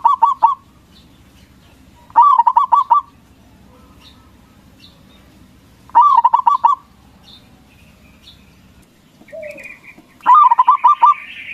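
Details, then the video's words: Local zebra dove with a loud voice, singing to provoke rival doves into answering. Four bursts of fast, stuttering, rolling coos, each under a second long and roughly two to four seconds apart, with a faint whistle in one gap. "Perkutut lokal Gacor Suara BESAR bikin Cepat Emosi Lawan Auto Nyaut Seketika"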